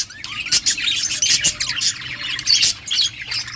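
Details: Budgerigar flock in a colony: dense, overlapping high chirps and warbles with scattered sharp clicks, continuous chatter of many birds.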